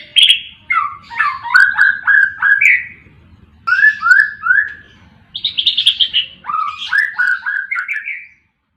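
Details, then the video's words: White-rumped shama song used as a training recording for other shamas that are reluctant to sing: three bursts of rich whistled phrases, sliding and warbling between mid and high notes, with brief pauses between bursts and a quiet background. "kumpulan kicau MURAI BATU gacor cocok buat masteran dan pancingan murai batu yang malas bunyi"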